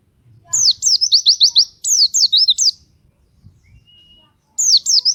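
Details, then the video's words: Rapid 'gacor' song of a white-eye, used as a lure for others of its kind: two quick phrases of high, falling chirps, a gap with a faint level whistle, then a fresh phrase starting. "sangat cocok untuk pancingan burung pleci! pleci lain langsung gacor dan nembak"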